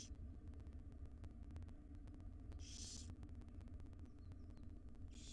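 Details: Begging from five wild barn owl young being fed breakfast by their mother in a nest box; one long rasping hiss mid-clip and partial ones at the edges, over low droning hum.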